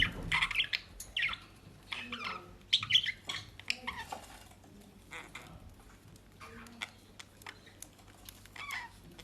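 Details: Pet budgerigars in Den Haag, South Holland, Netherlands, eating dry leaves and grass bought from a bird shop; quiet scattered chirps and short squawks overlap irregularly, with low room hum beneath.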